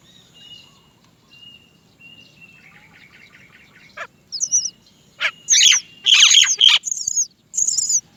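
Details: Baby Great myna in the nest begging its mother for food: faint thin whistles at first, then loud harsh screechy bursts in a dense cluster, growing more insistent toward the end.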